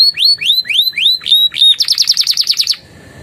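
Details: Canary song with Javan tesia and prinia-style phrases: six rising whistled notes about four per second, followed by a quick rattling trill that ends abruptly, leaving faint background hiss.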